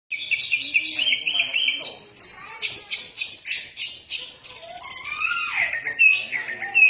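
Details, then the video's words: Oriental magpie-robin in energetic ngefly song: a continuous, dense stream of high whistles, buzzy notes and rapid trills, with a few lower slurred whistles mixed in and no pauses. "burung kacer ngefly gacor"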